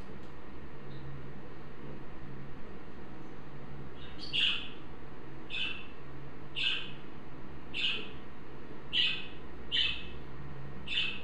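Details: A budgerigar gives a run of short, bright chirps, roughly one a second, starting after a few quiet seconds, over a steady low hum; its note is identified as about F5.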